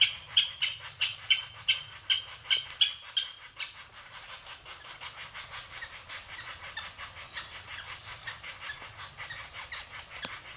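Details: Japanese green woodpecker giving a series of short, clear whistled notes, about two or three each second, for several seconds. The notes then fade, leaving a steady hiss of outdoor background noise.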